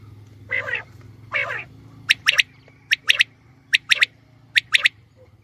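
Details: Female quail calling for hunting use. Two harsh, rasping bursts come first, then short sharp notes in tight groups of two or three, repeated roughly every 0.8 seconds over a low steady hum.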